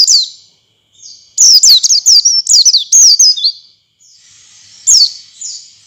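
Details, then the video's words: Oriental white-eye singing as a lure sound to stimulate other white-eyes into wild-style singing and beak opening: a lively run of high, sweet, rapidly repeated downslurred chirps for about two seconds, followed by a few scattered higher notes. "suara pancingan pleci agar pleci ngalas dan pleci buka paruh buka paruh"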